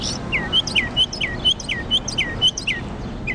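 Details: Mockingbird singing in Jackson, Mississippi: clear, loud notes that alternate between a down-slurred chirp and a brief higher whistle, roughly four notes per second, repeated steadily with a faint low background hum.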